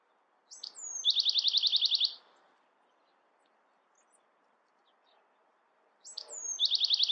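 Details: Bewick's wren repeating its song twice, each phrase a few sharp high notes and a thin slurred whistle followed by a dense fast trill of buzzy notes, separated by about four seconds of near silence.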